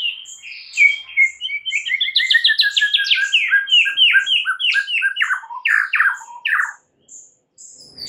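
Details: A white-rumped shama sings an energetic morning phrase. Rapid chattering notes build into a long cascade of downward-slurred whistles, then it stops with a brief pause and soft high notes.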